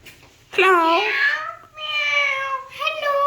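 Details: Alexandrine parakeet mimicking speech with one long, continuous nasal call that dips, steadies into a level tone and rises again at the end.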